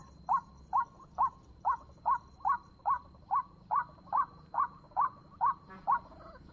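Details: Repeated croaking call of a White-breasted waterhen at 7 in the morning, used as a lure: clipped, nasal notes about two per second in a regular rhythm, with a faint steady high tone underneath.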